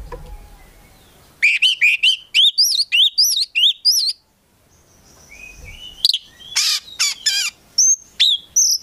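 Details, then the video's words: Kept Oriental magpie-robin, a prospect bird, in energetic gacor song packed with isian: after a quiet start, a run of rising whistled notes repeated about three per second, then harsh rasping bursts and thin very high whistles. "KACER GACOR FULL ISIAN BIKIN KACER APAPUN LANGSUNG NYAUT"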